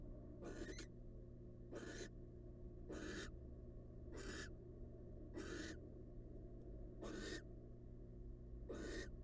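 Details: Incubating wild barn owl hen on her eggs in a monitored nest box. Eight rhythmic, breathy rasps repeat about every 1.2 seconds over a constant low hum.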